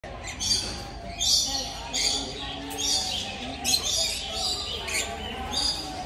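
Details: Rainbow lorikeet at an exotic bird park gives harsh, high, screechy squawks in short bursts, about one each second, over a low background murmur.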